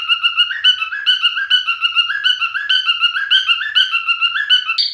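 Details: Continuous wavering whistled song from a male cockatiel, stepping between two pitches in quick pulses and ending on a higher squeaky note.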